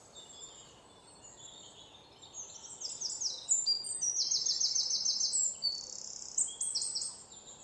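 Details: White-throated fantail chicks in West Bengal, India, give thin, very high, buzzy notes in rapid overlapping bursts, about two per second, over a soft background hiss.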